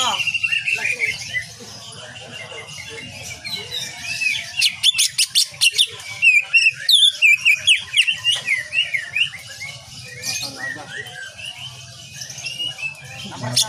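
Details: Greater green leafbird singing, a training recording for cage birds: long stretch of varied whistled slurs and rapid clicking bursts, with a steady low background hum throughout.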